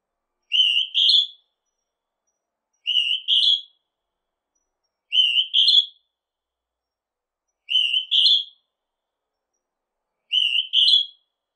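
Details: Northern hawk-cuckoo whistling a two-part rising phrase five times at an even pace of about one every two and a half seconds. Each phrase is a short lower note leading into a stronger, higher note.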